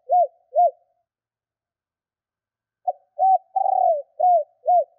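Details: A decoy female spotted dove calls to attract males. Two rounded coos close one phrase. After a two-second gap, a fresh phrase comes: a clipped note, an arched coo, a long rattling coo, and two more mellow hoots.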